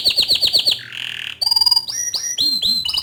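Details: Bottle-green canary in full song, a tutor recording for young and novice canaries: quick repeated chirps, a sustained buzzy tone, then a series of loud sweeping whistled notes rising and falling.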